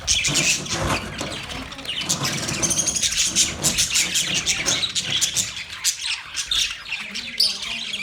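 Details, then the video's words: Budgies on November 19, 2023, give a dense mix of overlapping high chirps and warbles. A low, engine-like rumble hums underneath throughout. "Cute Budgies chirping sounds"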